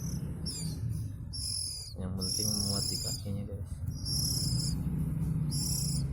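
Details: A local West Javan Oriental magpie-robin sings sustained high whistles and quick sliding notes in short phrases, over a steady low background hum with some lower chattering sounds midway.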